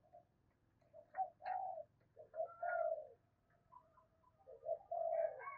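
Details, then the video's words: Spotted dove lure calling, intended to stir wild doves to reply. Soft, hollow coo phrases rise and fall over a low rumbling background hum, with a few fainter higher notes. "Tiếng Chim Cu Gáy Mồi thúc Gù Kích Bổi Cực Nhạy"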